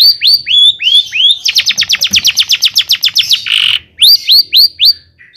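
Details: Long-tailed shrike in loud song, played to excite other shrikes: sharply rising whistled notes, then a rapid series of about twenty quick notes, a brief harsh rasp, and more rising whistles.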